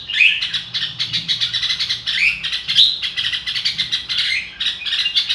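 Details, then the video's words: Red-whiskered bulbul giving a fast, dense run of bright chirps and short rising whistled notes, near-continuous and high-pitched, with no pause over several seconds. "chào mào ro kích bổi sung theo"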